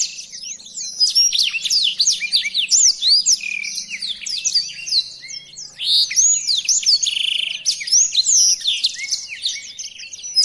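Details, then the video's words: A black-throated canary, an original bird used for song tutoring, sings a rapid unbroken stream of high, sweet twitters and trills with quick sliding notes tumbling together over a faint low hum. "Burung Blackthroat Original untuk Pemasteran"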